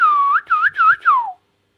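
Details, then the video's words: Indian ringneck parakeet, kept as a pet indoors, giving a whistled phrase of four clear notes, the first dipping then rising, the middle two short and bowl-shaped, the last sliding steeply downward. "amazing |Indian |talking |Ring |Neck |parrot"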